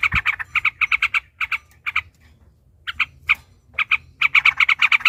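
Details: Sooty-headed bulbul singing a long, rapid fighting song meant to provoke a rival into answering. Loud bursts of quickly repeated bright notes break off for short pauses, then resume in a fast chattering run.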